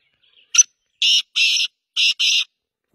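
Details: Black francolin, known locally as kala teetar, gives a short sharp introductory note followed by two pairs of loud, harsh, rasping bursts separated by a brief gap, in near silence otherwise.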